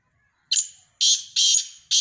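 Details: Black francolin (kala teetar) giving a loud grating phrase: a short whistled note, then harsh, drawn-out buzzy notes in quick succession.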